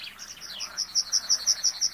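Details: Comb-crested jacana giving a rapid series of high, thin piping notes, about six per second, growing louder over two seconds above a faint low hum.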